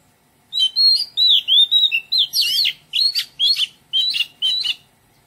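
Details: Melodious Oriental magpie-robin song from a garden: a quick string of about a dozen whistled notes, some clear and fluting, others rasping and chattery.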